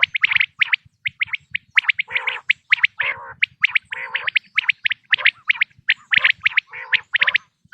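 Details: Quail call offered for hunting, 2026 season: dense runs of sharp chirped notes, some with lower gargling, harmonic tones, in quick irregular bursts with short pauses.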